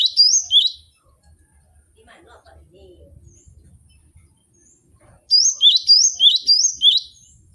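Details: Cinereous tit used as a song-training model: a few two-note whistled phrases, a long quiet gap with faint low murmuring, then another fast run of repeated high whistles.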